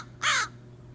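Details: A single harsh, raspy caw of an American crow, a species with up to 20 different call types varying in pitch and quality; the short burst lasts about a quarter second, followed by quiet low hum.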